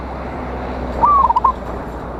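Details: Local zebra dove, perkutut, singing to provoke and call rivals: a single short cooing phrase, a level note followed by quick stuttering notes, over steady background noise.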